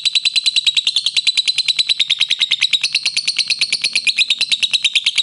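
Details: A lovebird gives a long, unbroken chattering "ngekek" trill of rapid, high, clipped notes, about nine or ten a second, steady and clear throughout, recorded as a clear master song for training other lovebirds.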